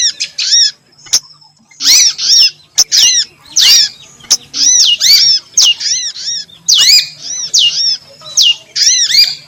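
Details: Female yellow-bellied prinia (prenjak lumut), a call played to lure birds: lively series of hooked, harmonic chirps in quick groups of two or three, nearly continuous, over a faint low electrical hum.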